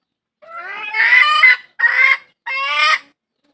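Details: Hen calling out to find a rooster, three raucous squawks: a long note that builds up, then two shorter ones, all rich and hoarse.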